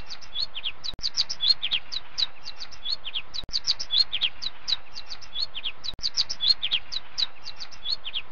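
Sparrows chirp busily: short, bright notes tumble over one another several times a second, with a soft hum of background noise underneath.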